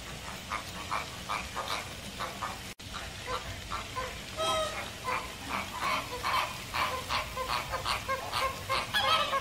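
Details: American flamingos calling as a flock, a dense stream of short nasal honks and grunts overlapping at roughly two to three per second, growing louder toward the end, with one sharper, higher call standing out midway.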